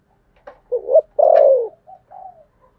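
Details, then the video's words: Spotted dove giving a 'thổ sấm thúc gù' style coo. A few brief soft notes lead into a long, resonant, falling coo, followed by two short trailing notes. The background is silent. "cu gáy giọng thổ sấm thúc gù"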